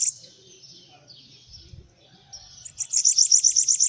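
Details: Bananaquit singing while perched on a person's hand: after a quiet start, a rapid run of high, thin, buzzy notes repeated about four times a second closes the recording.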